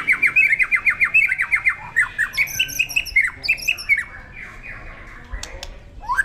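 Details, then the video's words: White-rumped shama, a bird described as ready for singing competition, delivering a rapid run of loud, sharp downslurred whistles repeated several times a second, then softer scattered notes and a brief click near the end, indoors. "murai siap gantang, murai siap lomba, murai siap tarung, murai siap dilombakan, murai"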